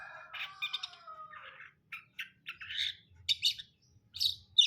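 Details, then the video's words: Long-tailed shrike, a cendet brundol, singing: a chattering run of mixed notes. It opens with thin, falling whistled slurs, then breaks into short scratchy bursts and sharper high chips with brief gaps between them. "KICAUAN CENDET BRUNDOL"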